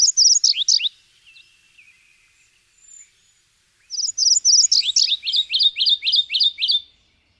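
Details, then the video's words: High, chattering song of a Subalpine warbler (Sylvia cantillans): a short opening burst, a faint low twitter, then a long phrase of about three seconds of rapid, rhythmic repeated notes. "Canto da AveToutinegra carrasqueira (Sylvia cantillans)"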